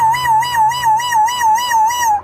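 A grey parrot gives a steady, pure whistle that wavers up and down about three times a second, like a warbling siren, for two seconds.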